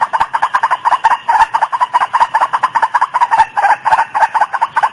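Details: White-breasted waterhen calls played as a lure to attract waterhens: a dense, continuous run of harsh, rapidly repeated notes, pulsing several times a second without pause.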